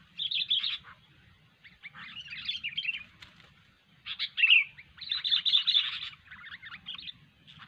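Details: Sooty-headed bulbul singing actively: bursts of chattering, bubbly phrases roughly a second long, broken by short pauses, with a faint low rumble underneath.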